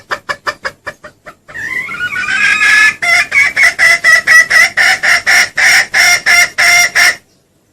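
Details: Junglefowl lure call used in Indonesia, loud and clear: a few quick clucks, then a rising squawk, then a steady run of sharp, even clucks, about four per second.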